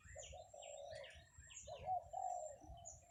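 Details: Morning cooing of zebra doves near buffalo pasture, 17 July 2023: two soft, drawn-out purring coo phrases, the second slightly louder, with faint high bird chirps behind.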